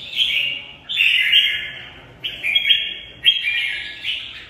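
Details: A pet red-whiskered bulbul sings four loud, bright warbled phrases of about a second each, separated by short pauses, with no other clear sounds; shown as a good fighting singer.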